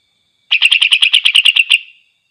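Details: Greater green leafbird song meant to rouse other leafbirds to fury: a fast burst of about twelve rapid, sharp, chattering notes repeated evenly over roughly one and a half seconds, then trailing off into silence.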